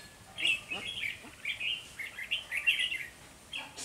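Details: Red-whiskered bulbul acting as a trapping decoy at the start of the season, 3 November 2020, giving a continuous, rolling chatter of warbled notes with slurred rises and falls.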